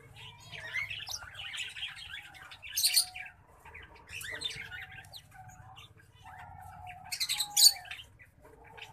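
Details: Green singing finch crossed with black-throated canary, a hybrid, singing a varied run of bright twittering notes and quick trills, with two louder high buzzy bursts near the third and eighth seconds, over a steady low hum.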